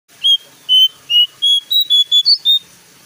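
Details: Bulbul, locally called jongkangan, singing loudly in a recording meant to lure newly kept caged birds into singing. Nine clear whistled notes come in about three seconds, wavering slightly and stepping higher toward the end, over faint background hiss.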